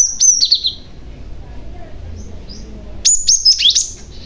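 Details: Calling young male Cinereous Tit used to pull in other tits: a short string of high downslurred chirps, a two-second pause, then a livelier phrase of rising and falling notes.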